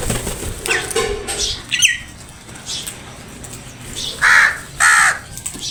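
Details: Crows attacking food; a few harsh caws early on, then two loud drawn-out caws close together near the end, over steady background noise.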